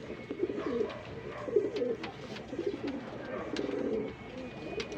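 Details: Low throaty cooing comes from pigeons set together for breeding pairing. The cooing falls in several uneven bursts over five seconds, with a faint steady tone and light clicks behind it.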